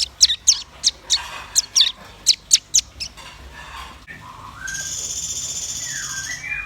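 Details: Red-billed nuthatch and white-rumped shama in full song: about ten sharp, piercing high notes repeated roughly every third of a second, then a steady high tone with soft lower whistled slurs.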